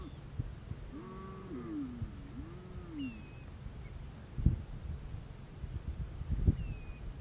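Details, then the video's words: Whooper swan in Bojaq National Park, where mute swans are also present; a few low, nasal, honking calls with curving pitch around the first three seconds, then faint higher notes over a steady low rumble and occasional knocks. "Whooper swan & Mute swan in Bojaq National Park"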